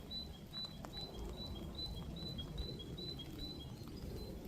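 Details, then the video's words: A great tit sings in cold, freezing rain in a garden, a quick, even run of about ten high-then-lower two-note phrases over a steady low rumble of rain and wind. "Can you hear that great tit singing?"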